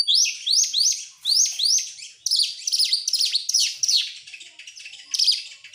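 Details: Oriental magpie-robin singing, used as a lure to get other birds to sing: rapid, loud, repeated upslurred whistles, then a varied burst of sharp, chattering, trilled notes, all high-pitched, with no other clear sounds.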